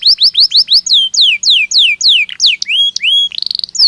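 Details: Belgian canary stimulus song for training a bird to sing more: quick clipped notes giving way to slower, loud descending whistles, then varied buzzy and trilled phrases at the end.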